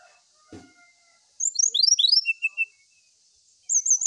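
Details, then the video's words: Brown-chested jungle flycatcher, song for seeking a rival: after a soft thump, a tumbling run of sharp downslurred whistles ends in a short trill, then a higher warbled phrase begins. "Suara sikatan rimba dada coklat cari lawan"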